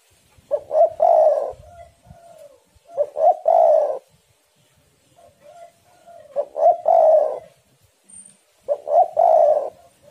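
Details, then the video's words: Spotted doves singing back and forth as a lure for other doves. Four loud phrases, each two quick clipped notes then a drawn-out mellow coo, repeated about every two to three seconds, with soft coos between. "tekukur super gacor saling memanas"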